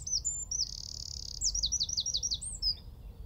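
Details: High, loud Eurasian wren song from a tree at Wicken Fen, roughly 15 m off, captured on a phone with telescope and shotgun mic: a sustained shimmering trill, then a run of fast descending notes and a final chirp.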